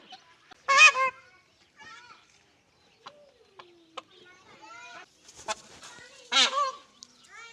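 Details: Peahen in search of a peacock: a harsh honk early on and another near the end, with softer squawks and whistled notes between them.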